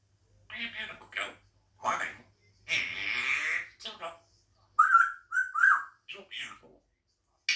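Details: Pet African grey parrot chatting while looking out the window and eating grapes: bursts of speech-like mumbling with raspy syllables, then a run of three clear, pure whistled notes near the end; quiet indoor room.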